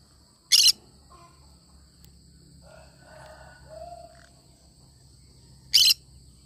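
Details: Two brief, piercing, grating squawks from a cinnamon green-cheeked conure, about five seconds apart, separated by quiet low murmuring sounds and a faint low rumble.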